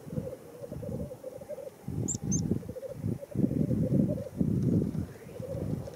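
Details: Black grouse at a lek at World's End, Wales, in April 2017: continuous low bubbling, cooing rookooing from several males, rising and falling in waves, with a brief high squeaky note near the middle and a faint outdoor hiss.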